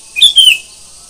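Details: Morning song of a sooty-headed bulbul: a short, bright two-part whistled phrase with a quick chirp followed by a falling slur. Faint insect hiss sounds behind it.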